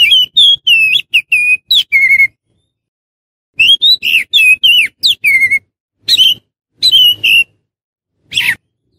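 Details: Oriental magpie-robin used as a lure to draw wild magpie-robins: bursts of clear, high whistled notes, some rising and some falling, in three quick phrases separated by short silences, ending with a single sharp note.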